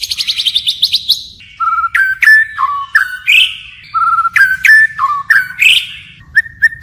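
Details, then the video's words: White-rumped shama singing a forest-style song with constant changes of phrase: a fast run of rapid notes, then clear whistled notes and short slurred phrases, mostly repeated mid-pitched whistles. "Chích chòe lửa hót giọng rừng hay đảo giọng liên tục"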